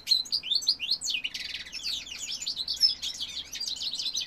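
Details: Male goldfinch pours out fast, bright twittering song, with sweeping high notes, a short buzzy burst near the start and continuous tinkling chatter.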